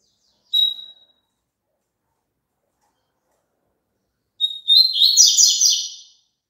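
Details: Papa-capim song: an isolated short whistle, a long silence of about three seconds, then another whistle running straight into a quick, buzzy, trilled high phrase lasting roughly two seconds.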